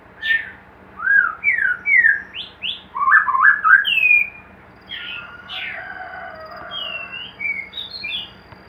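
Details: Captive white-rumped shama in a hanging cage, kept for breeding, delivers a series of clear rising whistles about every half second, then a rich warbled passage and softer high notes.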